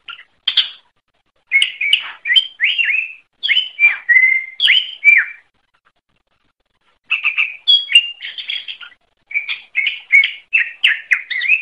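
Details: Greater green leafbird song used to train cage birds: bursts of rapid, varied whistles and chattering slurred notes in phrases of several seconds, separated by short silences, loud and clear throughout.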